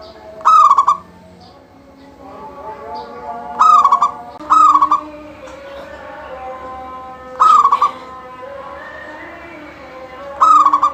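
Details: Local zebra dove singing persistently, its voice used to trigger singing in other doves; five cooing phrases at uneven intervals, each a sustained tone dissolving into rapid pulses, over faint background warbles.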